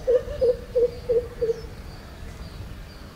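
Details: Greater coucal, also called crow pheasant, recorded at Bhamragad: five deep, hollow hooting notes in a quick, even series over about a second and a half, then a quiet natural background.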